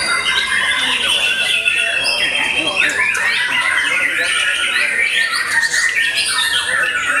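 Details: Post-moult white-rumped shama in full, fierce voice, pouring out overlapping whistles, trills and sharp sweeping notes without a break; the phrases shift pitch constantly in a rich, busy torrent.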